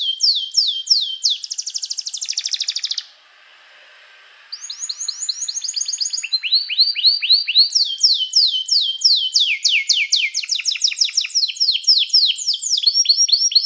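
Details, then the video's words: Canary singing to call other canaries to sing, used for training canaries: fast, high rolling trills of repeated sweeping notes, switching between tours at different pitches, with a brief pause early on. "som de canário chamando amigos para cantar"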